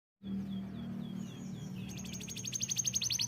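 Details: Canary singing: faint sweeping whistles at first, then a loud, fast trill of short repeated notes over the last second and a half, with a steady low hum beneath.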